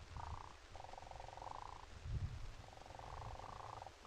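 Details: Sandhill Cranes, adults with a young one, at a wild game feeder in April 2015, filmed by a trail camera, where cranes chased off a turkey and a hog: loud, rolling, rattling calls in several bursts, some rising slightly, over wind and handling rumble.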